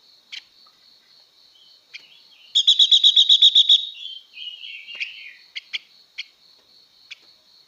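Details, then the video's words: Female blue-winged leafbird singing to excite male birds. A few isolated sharp ticks lead to a rapid, pulsing, buzzy trill of about ten notes. A lower slurred warble and more scattered ticks follow. "Tiếng Chim Ngũ Sắc Mái Hót Siêu Kích Trống Nhanh Căng Lửa"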